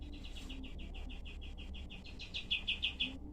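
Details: Cream-vented bulbul in rough, tightly spaced shot-like song meant as tutor material: a long run of quick repeated notes, soft at first and loudest at the close, over steady low background hiss.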